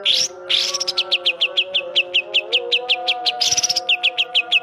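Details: Greater green leafbird in full song with imitated kapas tembak phrases: after a buzzy opening, a long run of short sharp high notes repeated about four times per second, over a continuous low humming tone.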